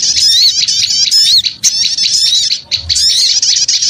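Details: Small birds calling in a noisy lure chorus, steady overlapping high-pitched twitters and quick rising squeaks, dipping briefly twice before resuming.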